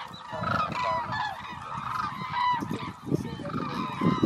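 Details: A group of hooded cranes giving clamorous bugling calls, several birds overlapping in bursts of ringing, slightly wavering notes, with low rumbling noise underneath.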